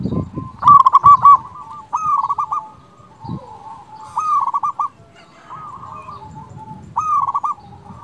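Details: Lively local zebra dove, kept for its loud rival-calling song, gives short fluttering bursts of rolling coos every one to two seconds, separated by quieter gaps, with low background rumble.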